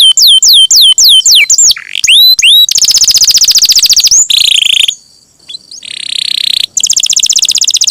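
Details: Champion canary's long rolling song, used to train songbirds: repeated curled whistles, swooping slurs, then a long fast buzzing roll, a lower rattle, a lull with thin notes, and another rapid trill.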